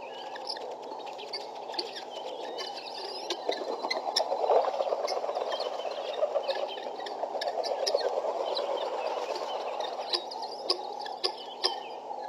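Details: A flock of guineafowl coming in at Pete's Pond on 5-10-12 chatters in a dense, continuous mix of harsh cackles and clicks.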